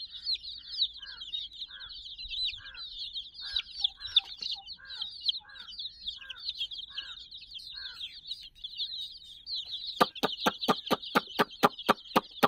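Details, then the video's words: Sixty young chicks playing around a teddy toy: dense, continuous high peeping from many birds at once, with a softer call repeated about every half second, then a run of sharp regular clicks near the end. "silly chicks chirping"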